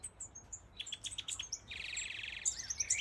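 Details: Major (Siberian) goldfinch song: a short run of evenly spaced bright chirps, then a fast, harsh buzzing trill lasting about half a second, followed by tinkling high twitters.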